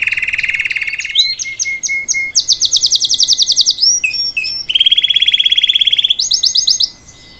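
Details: Salsa canary singing live as a tutor song for a chick: a low buzzing roll, a high rapid trill, twisting notes, then another low roll and a bright high trill before falling silent.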